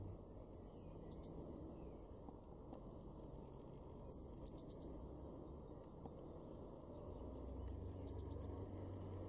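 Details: Eurasian blue tit singing in a Weener garden, East Frisia, Germany, April 2021: three loud phrases, each of a few high sliding notes running into a fast trill of even, very high notes, repeated about every three and a half seconds.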